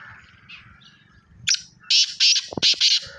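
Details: Black francolin calling: a sharp note, then a run of loud, rasping, buzzy syllables in quick succession, each about a fifth of a second, over a steady low rumble.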